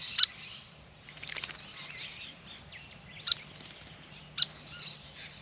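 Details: Grey fantail at a birdbath during a long bath: three or four short, sharp high chips scattered across a few seconds, with soft chattering of other birds and a brief rustle of wings or water.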